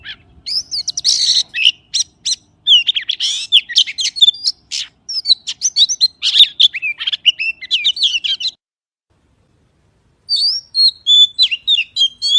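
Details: Magpie delivering a long, dense run of sweet whistles mixed with sharp clicking notes and quick warbled trills, then a short silence before a fresh phrase of bright whistled notes.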